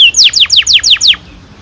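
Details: Canary singing, used to stimulate young canaries to sing: six loud, sharply descending whistled notes in quick, even succession, then quiet.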